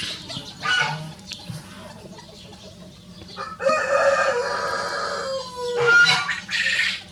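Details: A pair of small Rosecomb bantam roosters, show birds ranging free, trading crows: a short crow early, then a long drawn-out harmonic crow lasting about two seconds that drops in pitch at the end, followed by a final brief crow.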